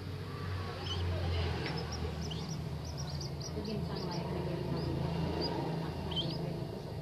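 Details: High, quick peeping notes from a tame common moorhen chick, clustered in a rapid run midway, over continuous low rumbling and faint voices.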